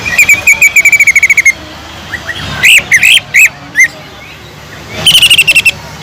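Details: Greater green leafbird singing nonstop, its song filled with kingfisher imitations, used to train other leafbirds: a rapid clipped rattle, a pause, several loud slurred whistles, then another quick rattle.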